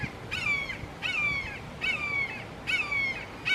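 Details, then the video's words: Three Red-shouldered Hawks calling very loudly in a Florida backyard, giving piercing, slurred-down screams about one per second, five heard in a row against a faint outdoor hiss. "Amazing Sounds of Red Shouldered Hawks Calling"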